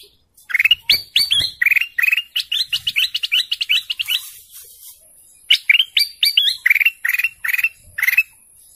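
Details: Golden canary singing a long, fast run of bright chirped notes, many rising slurs and trills repeated several times a second, with a brief pause midway before the phrases resume.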